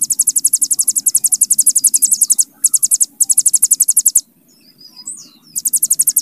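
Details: Hill prinia's 'bren' trill in several rapid, high, pulsed bursts separated by short gaps, with a brief slurred chirp before the last burst.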